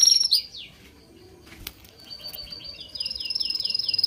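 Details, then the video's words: Bird chirping: a couple of sharp downward notes, a lull with a click, then descending chips that speed up into a fast, rising-volume high trill. "The sound of birds chirping soothes the soul"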